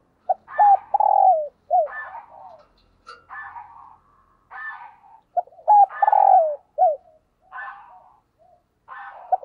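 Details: Decoy spotted dove giving 'thúc gù' coos: two loud sequences of hooked and falling coos, mixed with higher, harsher buzzy notes that recur between them, and a sharp click near three seconds.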